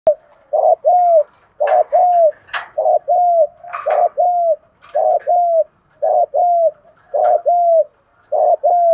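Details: Spotted doves, male and female voices used to provoke a trained dove to coo and fight, give paired hollow coos repeated steadily about every second and a half, with short harsher notes slipped between pairs.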